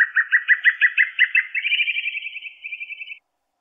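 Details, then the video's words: Creamy-bellied Thrush, a shy bird that keeps out of sight, singing in caatinga near Garanhuns, Pernambuco, Brazil: a quick string of clear, slightly buzzy notes shifting higher into a faster, fading trill over three seconds. "Canto da Sabiá-poca"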